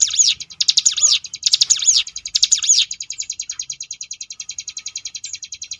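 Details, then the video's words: Tutor recording of the Sunda bush warbler's ngebrem song for contest birds: four loud looping whistled bursts open, then a clean steady rattling trill of high ticks runs to the end. "cigun ngebrem variasi"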